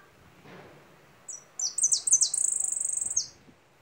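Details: A goldfinch sings a short burst of high, thin notes that run into a fast, even buzzy trill of about two seconds, all high-pitched, over a quiet background.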